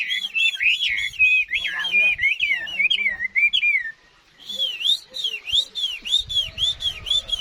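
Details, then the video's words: Adult wild-caught Chinese hwamei in strong song, loud fluty whistled phrases looping up and down, a brief pause, then a series of repeated dipping whistles. "Chim hót tốt, già rừg"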